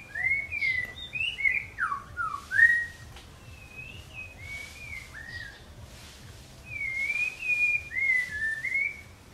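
White-rumped shama singing rich, fluty whistled phrases that slur up and down, given in bursts with short pauses between them.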